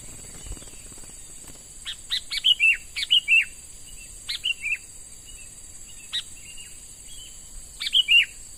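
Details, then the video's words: Sooty-headed bulbul, young bird taken from the wild and being trained as a decoy, calls repeatedly: clusters of sharp high notes and short falling whistles, some paired, spread over several seconds against continuous insect hiss. "Burung Kutilang MUDA HUTAN Mulai Dilatih Untuk Jadi Pikat Handal"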